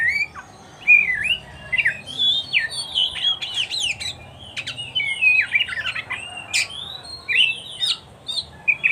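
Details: Oriental magpie-robin song for training caged kacer: energetic, nearly continuous mix of whistled slurs, harsh squawky notes and sharp chips, with light background noise.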